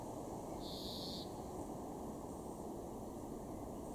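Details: In a garden in Weener, East Frisia, northwest Germany, in April 2023, a European greenfinch gives one drawn-out, high, slightly buzzy note of about half a second over a steady roar of wind or distant traffic.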